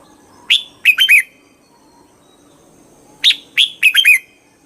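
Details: Two matching phrases from a red-whiskered bulbul, about three seconds apart. Each is a sharp note followed by three quick, slurred warbles, with quiet between them.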